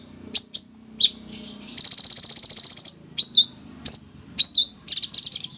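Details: Caged sooty-headed bulbul singing in an aviary: scattered sharp, looping high chirps, then a steady rattling trill of about a dozen quick notes, followed by more twisting whistled chirps.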